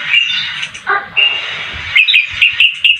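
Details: White-eye with newly grown feathers starting to sing: a thin, high twittering run, then a lower buzzy note, followed by sharp repeated chips about every quarter second, over faint low background rumble.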